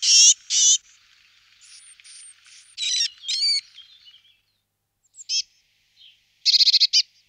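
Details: Eurasian blue tit calling with a mix of thin, high chirps, buzzy notes and a brief scattered series, ending in a quick run of six sharp ticking notes.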